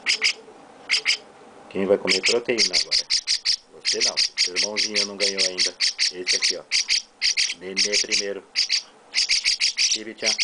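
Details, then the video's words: Two young chestnut-cheeked starlings being fed by their owner chirp in fast rasping runs almost without pause, overlapping a woman's steady Portuguese chatter to the birds. "Chestnut-Cheeked Starling baby mukudori carinho"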